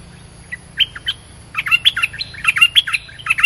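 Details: Caged stripe-throated bulbul used as a decoy for trapping, tested in a new cage, gives bright, bubbly whistled phrases. A few separate notes open, then quick chattering runs of rising and falling notes. A steady low hum runs underneath.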